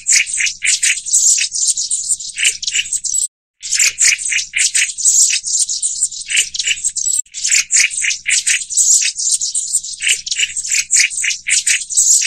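Black-throated bushtits keep up a dense, high, thin twittering mixed with dry buzzy rattles, several birds overlapping almost without pause.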